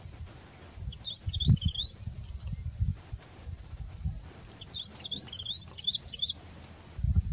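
Rufous-fronted prinia giving two bursts of high, thin, jumbled twittering notes, one near the start and a longer one after five seconds, over low rumbling background noise.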